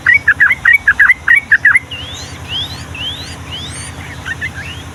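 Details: Yellow-vented bulbul delivering a loud, rapid 'ropel' run of about ten sharp chirping notes in under two seconds, followed by quieter rising whistles from other birds; recording made to tutor young birds.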